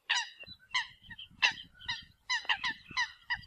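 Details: A Eurasian coot calling the flock, loud nasal honking notes, some paired, delivered in quick bursts with short pauses between.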